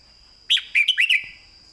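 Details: Red-whiskered bulbul, kept caged, singing a clear master training phrase in the southern Thai style: a sharp opening note followed by four quick, rolling whistled syllables that slur up and down, then silence.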